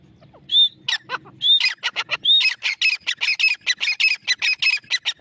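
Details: Grey francolin pair calling: a few clear rising whistles open, then a fast, harsh series of loud clucking, squawky notes repeated several times a second, growing steady and rhythmic.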